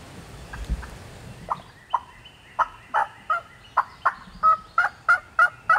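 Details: Georgia woods, a lone wild turkey hen calling back: a few spaced clucks that quicken into an excited, rhythmic run of loud raspy yelps, about three each second, growing stronger toward the end.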